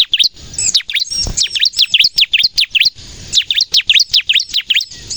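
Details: Bar-winged prinia singing vigorously, the kind of song used for luring birds and training caged birds: bright, high chirps with dipping notes delivered in quick runs, with a short break midway.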